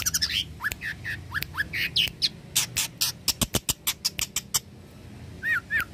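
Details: Mimicking long-tailed shrike used for training birds: rising slurred whistles and twitters, then a rapid string of sharp, clicking notes. The song closes with two softer rising whistles.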